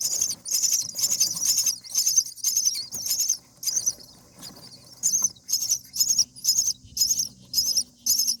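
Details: Common myna chicks on day 7 in the nest, being fed by a parent: rapid bursts of harsh, hissing high begging calls, roughly two per second, separated by short pauses.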